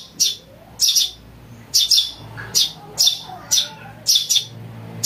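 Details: Eurasian tree sparrow nestling calls meant for luring and tutoring birds: roughly ten piercing, buzzy chirps arriving about every half second, some doubled, across five seconds with low background murmur.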